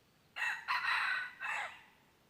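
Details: Crow of a red junglefowl, 23 January 2022, during decoy luring of wild birds: three rough, ringing segments, the middle one longest, slightly distant with a faint background hiss.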